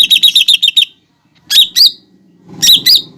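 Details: Cucak ijo, the lesser green leafbird, delivering masteran song with mimicked fighting sparrow, lovebird and sunbird: a quick string of about seven ringing chirps, then two pairs of shrill upslurred notes over low background rumble.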